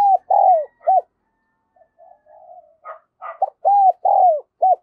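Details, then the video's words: Decoy spotted dove with the 'đồng son' voice, calling to lure wild doves: a hollow four-note coo phrase, a few soft low murmurs and rougher notes, then another full phrase of arched mellow coos. "Chim Cu Mồi Giọng Đồng Son gáy Gọi, Kích Bổi Cực Nhạy"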